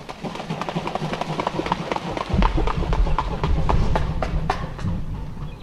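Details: Mute swans taking off and flying over ponds in Europe, recorded in autumn and spring 2011 and 2017: rhythmic throbbing wingbeats about four per second over heavy splashing and a low rumble of water and wind.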